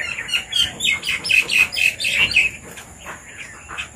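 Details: Red-vented bulbuls feeding on papaya in a Sri Lankan village give a rapid series of bright, slightly squawky chirps, about two per second, fading into softer scattered notes, with a steady high hiss throughout.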